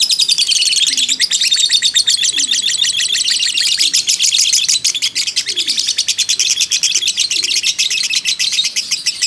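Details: Fighter lovebird in loud continuous ngekek chattering, a lure for other birds: dense, harsh high chirps in a nearly seamless rattle, with soft low cooing notes recurring underneath.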